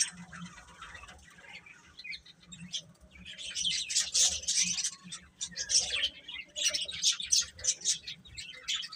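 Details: Baby chickens chirping as a group: dense, high, overlapping peeps that swell and fade in bursts, growing busier and louder over the second half.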